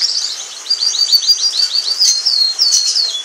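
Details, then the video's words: Orange frost canary, one of a pair, singing a quick run of repeated rising chirp notes followed by bright high trills and warbles. "Canary Singing"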